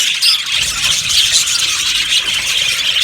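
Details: Busy flock chatter from a colony of yellow budgerigars in an aviary: continuous high, squeaky chirping and warbling, with a few brief whistled notes heard over the crowd.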